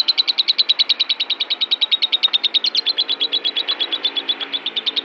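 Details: An agitated, raging lovebird chatters in an unbroken stream of sharp, high, piercing chirps, about eight per second, steady and insistent throughout.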